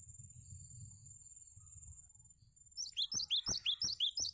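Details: Cinereous tit song used as a tutor recording for teaching other birds: after quiet steady high humming, a fast run of about nine sharp, repeated chirping notes starts near the end, given several per second.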